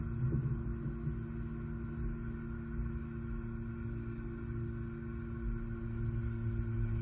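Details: Steady low electrical hum with faint vehicle-like rumble; no calls from the eagles or any other animal.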